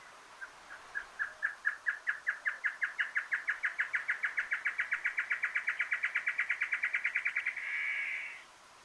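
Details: Giant Antshrike, Argentina, sings a long run of ringing notes that speeds steadily into a fast rattle of more than forty notes, then closes with a short grating burst; faint background hiss.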